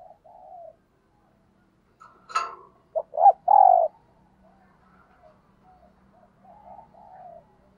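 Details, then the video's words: Decoy spotted dove, kept to lure wild doves, giving thúc gù coos: a sharp click, then a loud burst of three rising notes, with fainter coos before and after. "Chim Cu Mồi Thúc Gù Bài Bản Nghe Rất Xướng Tai, Dùng Kích Bổi Rất Hiệu Quả"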